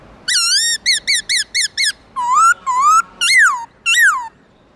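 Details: Black-throated laughingthrush in the morning, singing the 'forest voice' song style: a fast run of six short ringing whistles, then five longer swooping notes that rise or arch and fall, all loud, clear and rich in overtones.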